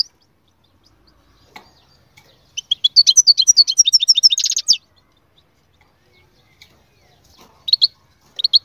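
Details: Canary singing in powerful form: a two-second burst of fast, high sweeping notes running into a rattling trill, followed by quiet and a few isolated sharp chirps.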